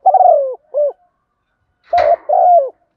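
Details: Spotted dove acting as a decoy to lure wild birds, delivering a long falling coo and a short note, then after a sharp click another pair of low, smooth coos.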